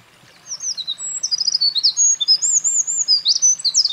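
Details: Eurasian wren at a mountain pass on 28 April 2024, after carrying nest material, sings a loud, rapid outpouring of very high sharp notes and twittering trills without pause, moving between upstream and downstream perches.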